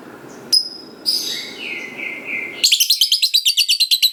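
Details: Lovebird song to stir other lovebirds into answering: a couple of high squeaks and a short buzzy phrase, then a long, rapid chattering trill of evenly repeated notes, the ngekek panjang style.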